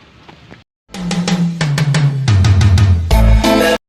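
A short quiet lead-in gives way to loud drum-kit music with a steady bass beat and no animal sounds.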